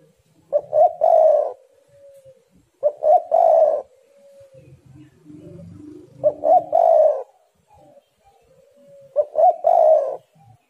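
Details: Spotted dove in full voice, used as a lure to set other doves singing. Four phrases come about every three seconds, each two quick clipped coos then a long, low, hoarse croon. Soft low rumbling fills the gaps.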